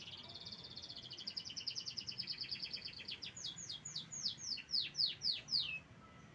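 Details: Canary singing: a rapid rolling trill of repeated notes for about three seconds, then a slower series of loud descending sweeping whistles, roughly two per second, over faint background noise.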